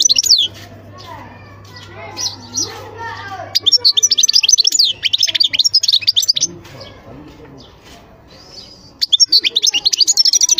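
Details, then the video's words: European goldfinch singing in two long outbursts of quick, high, tinkling notes, delivered as a rapid chattering stream, separated by quieter moments with soft low voice-like sounds in the background. "تغريد حسون خلو"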